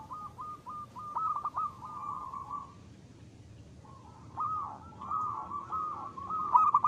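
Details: Local zebra dove singing actively in the ngristal style: a run of rapid, stuttering coos near one pitch, a pause of about a second and a half, then a second, louder rolling burst with quick flicked notes.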